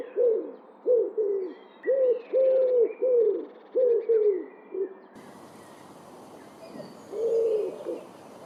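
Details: Wild Common wood pigeon (Columba palumbus) giving a rhythmic series of deep, hollow coos in quick succession, roughly eight notes over five seconds, then a short break and one more coo, with faint background birdsong.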